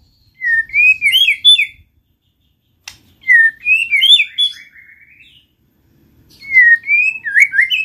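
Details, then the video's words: White-rumped shama, a kept songbird, singing to prompt other shamas to sing: bright whistled phrases with quick upslurred and warbled notes, about one second long, separated by pauses of a second or more, plus one sharp click. "pancing MURAI BATU malas bunyi/bahan paling mudah direspon tanpa takut"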